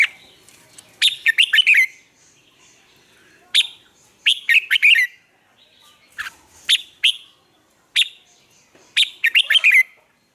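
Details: Caged red-whiskered bulbul song used as a decoy voice to train other birds to sing in the morning. Short bursts of loud, clear warbled notes come every one to two seconds, with quiet gaps between.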